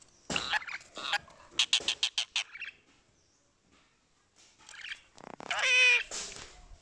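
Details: A talking rose-ringed parakeet imitating human speech. Harsh voice-like bursts lead into a quick run of clipped syllables, then a pause and a higher, nasal phrase near the end, with a person asking "why" nearby.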